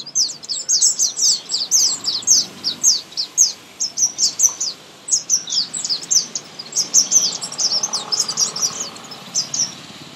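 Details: Common Indian sunbird singing in a garden, its small body producing a loud high musical song: fast clusters of bright descending chirps, repeated in phrases with short gaps.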